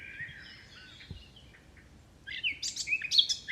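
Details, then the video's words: Soft, faint chirping drifts over a hissing background, then a sudden flurry of loud, sharp, high chirps and short trills bursts in near the end. "Wind blows leaves, leaves bird chirping sound"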